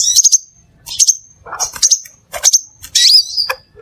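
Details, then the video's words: Crimson sunbird (Aethopyga siparaja) singing to lure other sunbirds: clustered triple high chips with ringing trails, some lower rough notes mixed in, closing with a loud harsh buzzy burst. "SUARA PIKAT DAN PANCINGAN BURUNG SEPAH RAJA"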